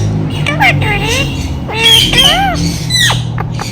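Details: Pet Indian ringneck parakeet talking, mimicking speech in short nasal, wavering phrases with rising and falling squawky syllables, over a constant low hum indoors.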